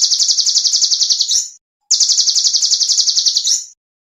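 A small bird gives two rapid, bright, high-pitched trilled phrases, each about one and a half seconds of fast repeated notes ending in a sharper flourish.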